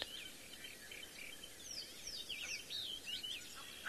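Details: Stierling's wren-warbler on a chilly, clear sunrise at a private game reserve, 8 January 2023, gives high, rapid ringing notes in quick bursts, like an old telephone or high car alarm, against faint hiss and other bird chirps.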